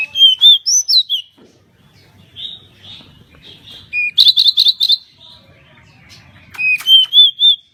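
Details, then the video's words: Pied bushchat in persistent song for training cage birds: clear looping whistles, a rapid series of five buzzy notes at the same pitch, then more sweet whistled notes. "Burung decu gacor"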